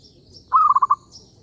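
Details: One zebra dove phrase from a trapping lure: a clear sustained note that breaks into four rapid throbbing beats, about half a second long, with a faint high hum behind it.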